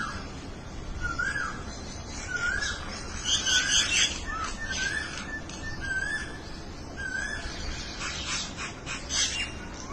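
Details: Birds communicating with each other: short, mellow whistled notes slurring upward recur every second or two beneath a busy layer of high, scratchy chirping and twittering.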